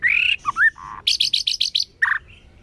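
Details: A white-rumped shama sings a loud rising whistle and a swooping slur. A low note follows, then six quick, evenly spaced bright chirps and a final lower burst.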